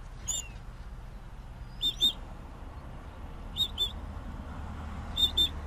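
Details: Southern grey shrike (alcaudón real) singing: brief, sharp, high-pitched paired notes, each pair clipped and whistle-like, repeated about every one and a half seconds over a low, steady background rumble.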